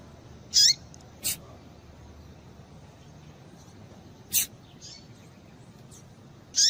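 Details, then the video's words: Rusty-collared seedeater female (papa-capim) giving calls that excite males to sing: high buzzy chirps with descending tails alternating with sharp clicky chips, five notes spaced irregularly, quiet hiss in the background. "Piado de Fêmea de Papa capim Para Esquentar Papa capim"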